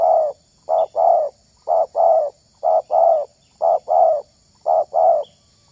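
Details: Spotted dove, a bird whose voice is picked out for luring wild doves, giving paired coos: a short clipped note followed by a longer mellow coo. The pairs repeat steadily about once a second, five pairs, over a faint high steady hiss.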